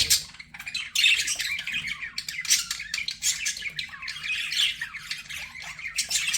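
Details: Budgies kept as pets chirp and chatter in bursts of raspy warbling notes, louder flurries around the first and fifth seconds, over a quiet low background hum.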